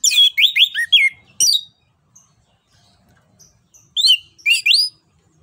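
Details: Orange-headed thrush (Anis Kembang) in lively ngerol ngeplong song, played to lure a silent bird into singing: quick bursts of slurred, rising and falling whistles, a sharp note, a pause, then two more whistled flourishes.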